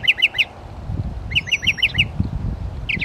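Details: Northern mockingbird at Belle Isle Marsh Reservation, East Boston, Massachusetts, running through its litany of other birds' songs: a high note repeated three times, then a five-note burst of the same note, with low rumbling background noise.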